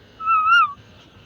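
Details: Pet parrot kept as a talking bird; one clear tonal whistle lasting about half a second, level then gently rising and dropping at the end, over a quiet room.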